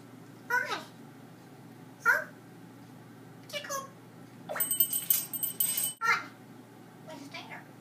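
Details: Pet parrot chattering to the dogs indoors, uttering short voice-like syllables about every one and a half seconds, each a brief harmonic burst with a falling tail; a clatter of noise sounds midway.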